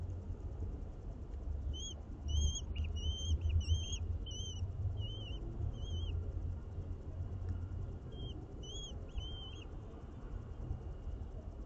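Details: Common kestrel nest in a building planter in Aguadulce, Almería, with chicks being fed: sparse clusters of short, thin whistled notes in bursts, pausing in the middle, with a low rumbling background.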